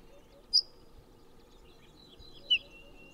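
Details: Ortolan bunting (Emberiza hortulana) daytime calls showing the typical alternation of call types: a thin, very high chip, then two seconds later a lower note that dips slightly, over a steady low hum.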